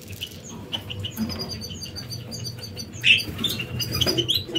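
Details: Canaries busy building and finishing their nest before laying eggs: short, high chirps and tweets repeat throughout, with a louder bright note near the middle, over soft rustling and a low background hum.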